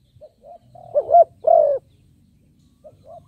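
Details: Spotted dove used as a lure bird, giving a quick pair of rising notes and a drawn-out coo, with soft, distant dove notes before and after.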